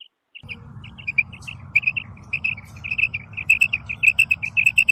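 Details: Singing female common quail in a field gives a steady stream of crisp, high, repeated notes that grow louder and denser over a continuous low droning background.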